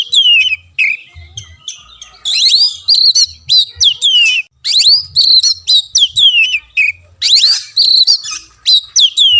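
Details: Oriental magpie-robin song played to push a caged bird that has stopped singing: energetic, continuous whistling of sweeping rising and falling notes in short rhythmic bursts, with brief pauses between clusters.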